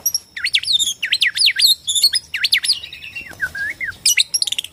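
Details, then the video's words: Singing Borneo white-rumped shama, used to goad shamas into song and fighting; quick looping high whistled sweeps repeated in rapid succession, a short lower whistled phrase, then fast high chirps. "KICAU BORNEO AMPUH BIKIN MURAI STRES SUSAH BUNYI AUTO FIGHTER NYAUT"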